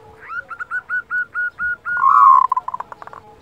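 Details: Local zebra dove kerot, played to rouse breeding desire and emotion: about eight evenly spaced, short hooting notes rise into a sustained rolling coo that breaks into fast fading pulses, in a quiet setting.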